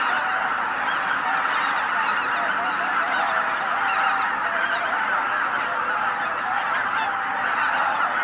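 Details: A huge winter gathering of waterfowl on Christmas morning at Izu-Numa, northern Miyagi, Japan; a thick, even clamour of honking voices, with scattered higher yelping notes over the top.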